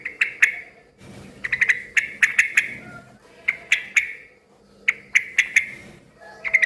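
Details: Busy, noisy yellow-vented bulbul chirping, meant to draw answers from other bulbuls: repeated groups of three to four sharp, clipped notes with brief pauses between groups, over a low hum.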